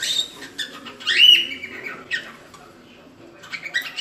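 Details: Cockatiel song used as training to teach chicks to sing: harsh, broad chattering notes around 2 to 8k with a bright rising whistled note near the start, then quieter scratchy bursts and a renewed chatter at the end.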